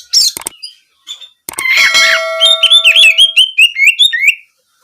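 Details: Kacer, or Oriental magpie-robin, in contest-oriented "nembak kenari" song: a few scattered sharp notes, then a dense run of quick, bouncing whistled phrases repeated rapidly for about two seconds.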